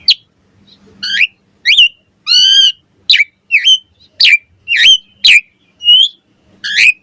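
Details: Morning song of an Asian pied starling, varied loud whistles, some rising and some falling, mixed with one rich harsh note, delivered as separate notes about every half second.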